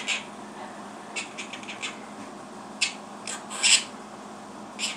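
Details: A pet monk (Quaker) parakeet talking in short, scratchy bursts of mimicked words, saying "give me a kiss", "good boy" and "beep booboo bop".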